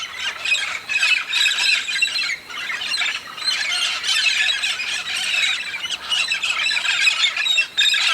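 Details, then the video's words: Large flock of red-spectacled parrots in southern Brazil, migrating each year to the Santa Catarina highlands to feed on araucaria pine seeds: a continuous, overlapping din of harsh squawks and shrill screeches from many birds. "O espetáculo dos papagaios-charão (Amazona pretrei) Red-spectacled Parrot."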